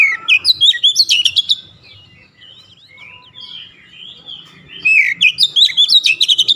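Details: Kacer (Oriental magpie-robin) song played as a stress remedy: brisk, ringing chirps with whistled slides, a quieter middle of soft twittering, then another loud, rapid series of sharp notes.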